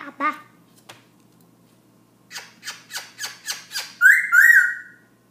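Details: Black-throated laughingthrush singing at night around 11pm, singing nonstop: a harsh opening note, a quick run of six rising notes, then loud clear whistled phrases sliding up and down.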